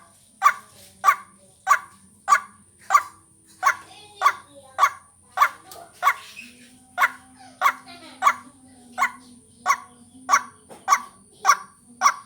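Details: White-breasted waterhen luring call: a long, even series of about twenty harsh, abrupt notes repeated roughly every 0.6 seconds, with a faint droning hum in the background.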